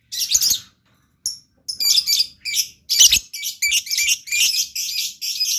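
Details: Blue lovebird singing busily (gacor): dense, scratchy high chatter that builds into a near-continuous run of clipped, squeaky notes.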